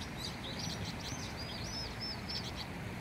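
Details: Vinous-throated parrotbill, a restless bird seen in June, giving thin high arched chirps in quick succession over a loud steady rushing background noise.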